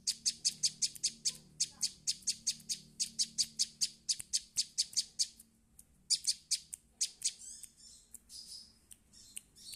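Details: Young prinia learning its song: a loud, steady run of about twenty sharp high notes at roughly four per second, a short pause, then a rapid burst and softer, more varied twittering trills.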